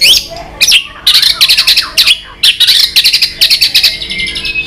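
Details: White-rumped shama during fighting song with tail-flicking to challenge a rival. A series of high, harsh, buzzy notes repeats rapidly about three times a second after a short whistled opening.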